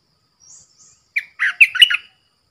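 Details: Caged decoy bulbul used to lure wild birds, recorded 13 April 2021: a short, faint high note, then a quick burst of four rich, warbling notes falling and rising.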